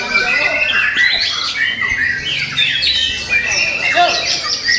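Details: Caged young White-rumped shama taken from the forest pours out a rich, varied song of sharp whistled phrases, downward slurs and quick chattering notes.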